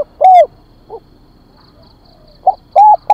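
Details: Decoy spotted dove calling to lure birds: a loud hollow coo, a faint lower note, a long pause, then two more deep coos near the end. A faint, evenly spaced high ticking is also heard.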